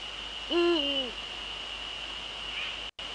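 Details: Netherlands, 30 January 2013 at 18:00: a male Eurasian eagle-owl utters a single low, drawn-out hoot that sags at the end, followed by quiet with a steady high background whine and a brief dropout.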